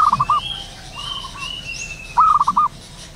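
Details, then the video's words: Local zebra dove in the wild in the morning, singing actively: a rapid stuttering phrase of four to five soft cooing pulses, repeated after about two seconds, with a fainter dove cooing between and thin high whistles from other birds. "burung perkutut lokal alam gacor penuh gairah"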